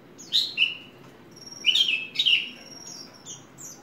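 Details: Ringed captive Horsfield's bush lark kept by a hobbyist giving a brief run of sharp high chirps and slurred whistles, with a thin sustained high whistle trailing between the louder notes.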